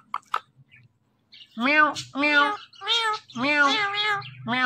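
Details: Green Indian ringneck parakeet saying "Mitthu Mitthu" in a human-like voice. Two sharp clicks are followed by long, harmonic, speech-like syllables repeated in a steady rhythm.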